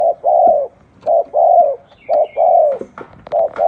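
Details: Spotted dove of the 'thổ đồng' type cooing: low, mellow coo phrases, each a short note then a longer drawn-out, slightly falling hoot, repeated almost continuously in a quiet setting, with faint clicks between phrases.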